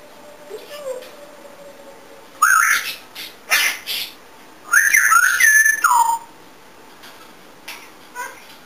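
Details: Pet African grey parrot at home, a talkative bird that dances and sings, giving loud whistled and squawky calls in two bursts, rising and falling sharply, with quiet pauses and faint softer notes between.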